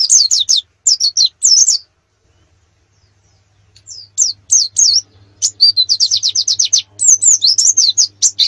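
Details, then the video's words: Canary master song used to train birds for national singing competitions: bursts of high, rapid descending whistled notes in quick series, a short pause, then longer rolling runs of repeated sweeps. A faint low hum lies beneath. "Masteran kenari terbaik untuk persiapan lomba nasional"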